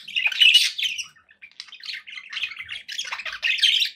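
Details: Budgerigars kept as companions give loud squeaky chirps, then softer scratchy twittering and a renewed burst of chattering warbles.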